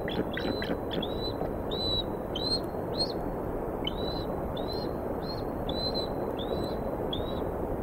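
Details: Eagles at the Decorah, Iowa nest on a February 2019 morning, with a strange eagle nearby after prey delivery. A steady series of thin, high, up-slurred whistled notes, about one every half second, over low background noise.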